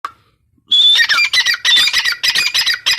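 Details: Female grey francolin (teetar) calling: after a short quiet start, a rapid run of harsh, rasping squawked notes, with a brief thin whistle at the start, then repeated choppy bursts about three to four per second.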